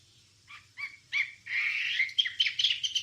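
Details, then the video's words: Wambie singing on a recording for training songbirds: a few soft chirps grow into a loud, busy run of whistles and sharp notes, over a faint low hum. "Ocehan Suara Burung Wambie"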